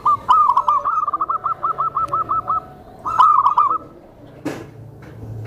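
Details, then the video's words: Tame zebra dove used to attract other zebra doves: a long, evenly pulsed run of soft coo notes, then a shorter rolling phrase, followed by a sharp click. "SUARA PERKUTUT JINAK, LEMBUT, DAN MEMANCING PERKUTUT LAINNYA"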